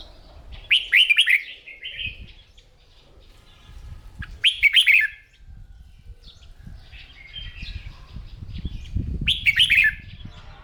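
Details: Morning singing practice of a caged red-whiskered bulbul, stimulated to sing competition song: three strong, fluty warbled phrases roughly every four seconds, soft chirps and light rustling in between.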